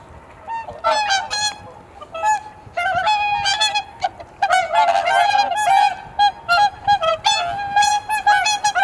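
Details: Swans calling at Kotoku pond in Japan at dawn during the blue hour, in near darkness: many overlapping nasal, trumpeting honks with rich harmonics, some in quick repeated bursts, with wind noise behind.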